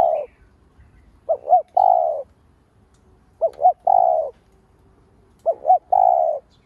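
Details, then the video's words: Spotted dove calling to stir up other doves: three full phrases after the tail of one more, each a pair of short hooted notes then a longer, burry, level coo, spaced about two seconds apart. "Cu gáy mồi cây gáy gọi thúc ,gù bổi hay. tiếng cu gáy mồi cây kích bổi hiệu quả, cu đất gáy"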